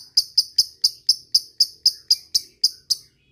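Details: Fighter lovebird ngetik to call a rival: a measured series of about twelve sharp, high ticking notes, roughly four per second, each crisp and clipped, ending in silence.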